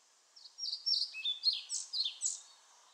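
A European pied flycatcher sings a brief, high phrase of quick sweet notes, about eight clipped elements in two seconds, over a faint background hiss.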